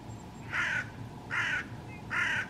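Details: Hooded crow arriving hungry for breakfast at a forest feeding spot in -14 frost on 7 March 2024, alongside magpies and jays, plumage fluffed: three harsh, hoarse caws, each about a quarter second, spaced roughly 0.8 seconds apart.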